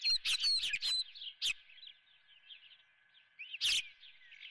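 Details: An osprey at its nest, a live golden fish brought for breakfast, opens with loud harsh squawky bursts, then soft rapid chirping, and a second loud squawk burst near the end.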